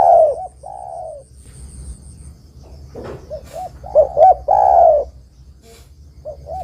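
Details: Lively spotted dove singing, meant as a trapping lure to draw other doves: two low throaty coos, a clattering rustle, then quick short coo notes leading into a long burry coo, with a few sharp clicks.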